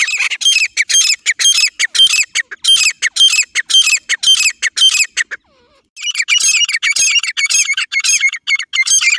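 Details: Partridge call used to lure birds for hunting, a loud harsh note repeated about twice a second in a steady rhythm, with a brief pause in the middle before the series resumes.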